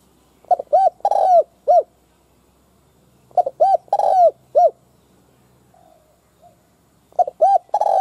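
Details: Decoy spotted dove calling to lure wild doves. Three loud four-note phrases of soft coos around a long rolling croo, with faint softer coos in the gap between the second and third phrases.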